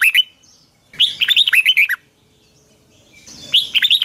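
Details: Red-whiskered bulbul singing its morning training song, a long double twisting style (giọng kép xoắn dài) from 2020, used as a lure for other birds. Quick slurred whistled notes come in short bursts, with a pause of over a second between phrases.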